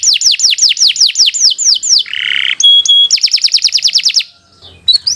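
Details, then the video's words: Atlantic canary singing long and vigorously for training other birds: rapid chains of down-slurred high whistles broken by a lower buzzy rattle and pure steady tones, then more fast trills. "Kicau Burung Kenari 80 II GACOR PANJANG"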